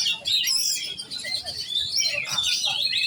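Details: Young oriental magpie-robin set for competition, giving a short, energetic flurry of high sweeping whistles and rapid chirps. A brief lower note dips in near the end.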